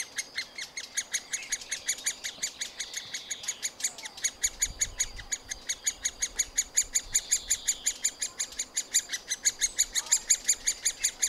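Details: Young middle spotted woodpeckers in a nest hole, fed by their parents: long continuous run of brisk, high, clipped chirps at nearly three per second, with a thin rising whistle near the start.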